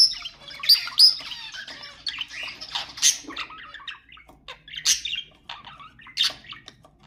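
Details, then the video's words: Budgerigar warbling meant to encourage pet budgies to sing: sharp high chirps and squeaky notes in separate bursts, with brief quiet pauses between them. "تحفيز طيور البادجي أقوى صوت بادجي تسمعه"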